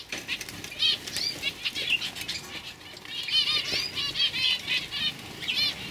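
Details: Young canaries (Serinus canaria), 2015, twitter in quick, high, rolling arched notes, repeated every half second or so, over frequent wing flutters and sharp clicks from several birds.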